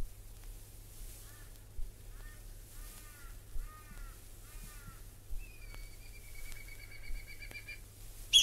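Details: A Whistling Kite in Australia gives five short, clipped whistled notes about every 0.7 seconds, then a drawn-out, slightly falling clear whistle, over a low steady hum.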